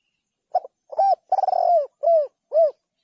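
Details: Spotted dove coo sequence: a brief low note, a swelling coo, a long vibrating rolled coo, then two smooth arched coos spaced about half a second apart.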